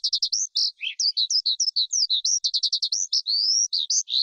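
A skylark pours out a fast, unbroken song of high chirps, buzzy trills and short slurred whistles, with no other sounds.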